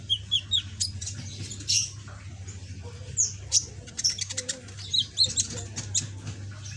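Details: Young kept sunbird, red-backed and greenish, singing actively though still learning its song and starting to chatter; short, high, thin chirps and sharp twitters in irregular bursts over a steady low hum.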